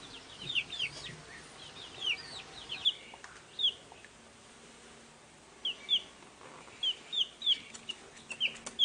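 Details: Newly hatched chicks chirping in a farmyard: scattered high, sharp descending peeps, singly and in quick bursts of two or three, with quiet gaps between.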